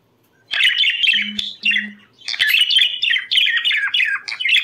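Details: Warbling budgerigar song meant to bring birds into breeding condition: bursts of scratchy, chattering notes and quick trills broken by a brief pause, with a faint low hum in the gap.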